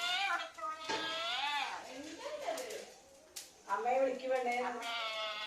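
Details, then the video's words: A parrot talks in a small room, giving rich harmonic, voice-like phrases with wavering pitch. The phrases run together, then pause briefly around the middle before more word-like syllables. Music plays faintly behind. "parrot talking"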